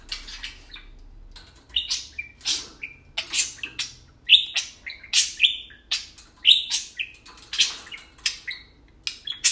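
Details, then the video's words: Tame pet parakeets, two birds, talking and playing: a quiet start, then a lively run of squeaky chirps, buzzy clicks and short whistled notes, roughly two or three per second, growing louder toward the end. "Tame parakeets talking and playing"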